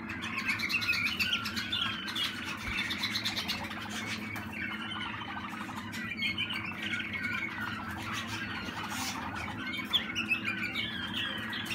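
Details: Waterslager canary, young bird of 2020, delivering long, unbroken rolling and bubbling song phrases with rapid trills, backed by steady low hum.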